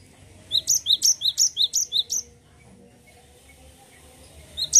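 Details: Cinereous tit singing its continuous rolling song, a quick series of paired high whistles for under two seconds, then a quiet pause, with a single phrase restarting at the end.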